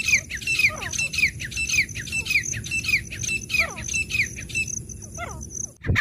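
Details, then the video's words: Loud repeated ringing calls of a wild grey francolin, evenly spaced at roughly two per second, fading near the end before a sharp thump. A constant high hiss runs throughout. "जंगली देशी तीतर की आवाज।The sound of a wild native pheasant | partridge calling"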